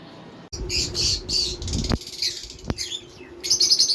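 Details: Parrots from a breeding male and female pair, with albino cockatiels also present, giving short raspy squawks and chirps in uneven bursts, broken by two sharp knocks and ending in a shrill run of calls.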